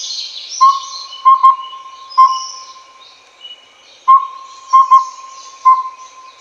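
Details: Collared Owlet (Glaucidium brodiei pardalotum), a tiny owl that is nocturnal but also active by day, gives soft, evenly pitched whistled hoots in its four-note 'toot, toot-toot, toot' phrase, heard twice, over a faint high insect hiss.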